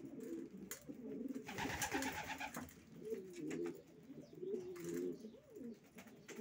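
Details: Racing pigeons crooning in low warbling coos, interrupted midway by a burst of harsh broadband rustling, probably wing flapping, then the coos continue.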